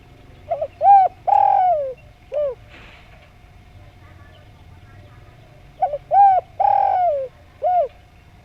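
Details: Spotted dove in lively, melodious song giving two matching phrases several seconds apart. Each phrase has quick low lead notes, a long coo dropping in pitch, and a short closing coo, over a low steady hum.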